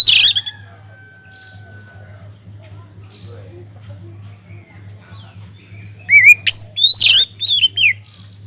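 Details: Aviary-kept Oriental magpie-robin used as a singing lure: a loud burst at the start, a long quiet stretch with a faint thin whistle and low hum, then a lively run of slurred whistles and chatters near the end.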